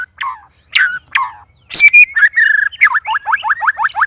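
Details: A caged white-rumped shama sparring with two other birds makes odd, loud sounds. A few short harsh notes are followed by a sharp burst, level whistles, and a quick string of rapid down-up slurred notes.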